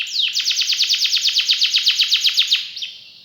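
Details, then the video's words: Canary in full song with rich, elaborate phrasing: a fast, even trill of bright downward-sweeping notes, about eight per second, held for over two seconds, then one separate note. "KENARI GACOR CENGKOK ISTIMEWA,ISIAN MEWAH"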